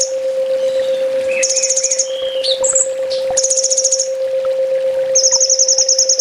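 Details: Kolibri ninja (olive-backed sunbird) in full tembak training song: three fast, high, rattling trill bursts, each about a second, linked by brief rising and falling whistles and sharp notes, with a steady background hum.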